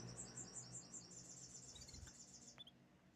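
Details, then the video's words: Canary song with a quick, high rolling trill of evenly repeated notes lasting over two seconds, sliding slightly lower, then a couple of short chirps, against a steady low hum. "the beautiful chirping sounds of canaries"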